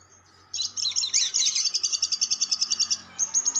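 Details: Lovebird ngekek panjang, a long chatter used as a lure: rough, shrill squealing notes run straight into a quick series of evenly spaced piercing pulses, with a faint low hum underneath.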